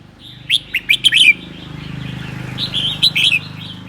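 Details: On a cold day in Sơn La, a seven-clawed red-whiskered bulbul delivers ché-style song: a quick string of sharp, sweet chirps followed by a looser warbling phrase, over a low background hum.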